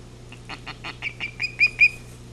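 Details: Osprey alarm at a camera-watched nest during a great horned owl attack that takes a second chick, July 2018. A short run of piercing chirps quickens and climbs in loudness, the last notes sharper and upslurred.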